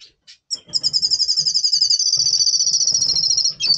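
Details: Double Pastel red siskin in pre-breeding condition, November 2023, giving a few short high notes that run into a sustained, fast buzzy trill lasting about three seconds, with soft low background rustle.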